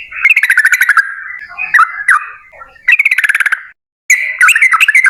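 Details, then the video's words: Yellow-vented bulbul singing, intended as a lure to make others sing: loud rapid rattling bursts of bubbly notes, separated by softer warbled phrases and a brief silent break, then more fast chatter. "TRUCUKAN GACOR Ropel Panjang Buat PANCINGAN TRUCUKAN Agar Bunyi"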